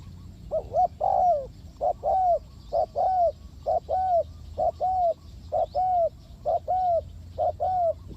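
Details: Spotted dove calling to lure doves into a trap, a rapid steady series of short arched coos roughly one per second, with one longer coo near the start, clear over quiet background.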